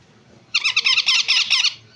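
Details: Yellow ringneck parrot chicks calling indoors: a rapid train of harsh, squeaky notes, six or seven pulses in just over a second.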